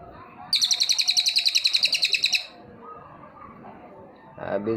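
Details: Cililin in full song, delivering a run of about eighteen rapid, sharp, high-pitched chips lasting nearly two seconds over faint background hum, followed by a brief louder sound near the end.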